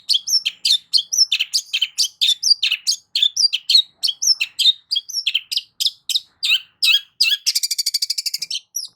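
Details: Long-tailed shrike song used as a lure to prompt a silent shrike to sing: a fast, dense stream of harsh, scratchy high chirps and varied notes, ending in a rapid rattling trill.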